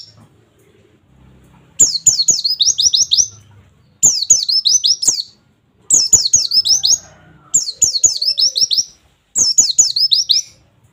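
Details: Oriental white-eye singing 'wit wit wit' nembak song meant to train young birds; five quick bursts of high, sliding, downward-swept whistles, about one burst every two seconds, separated by short silences.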